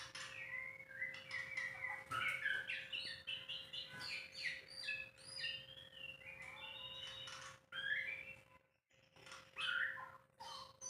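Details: White-rumped shama in captivity giving a dense, varied song of fast chirps, trills and whistles over noticeable background hiss, with a brief gap near the end and a faint steady hum.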